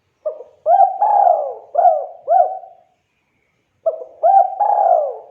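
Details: Lively spotted dove song meant to draw replies from other doves: quick hooked coos followed by a long downslurred rolling coo, repeated twice with a short silent gap.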